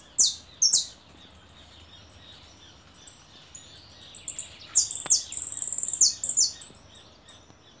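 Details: Caller goldfinch uttering loud high chirps and quick tinkling twitters, spaced at first and then packed into a fast, ringing run of repeated notes.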